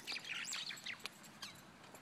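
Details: Mynas caught in a large fight, harsh squawks and tangled chattering notes overlapping for about a second, then a few sharp isolated chips over steady background hiss.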